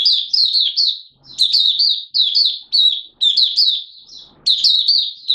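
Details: Opening 'buka sing' song of a Malaysian mata puteh, Oriental white-eye, recorded in Singapore, 29 March 2023, warm and humid with sudden showers: rapid high-pitched twittering strings of slurred notes, about six bursts separated by short gaps.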